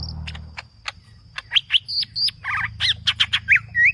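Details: Green leafbird singing in a lively, aggressive full-fill style: a fast run of sharp chirps, then clear whistled notes swooping up and down, a short buzzy doubled phrase, and a rising whistle at the end, over a low steady hum.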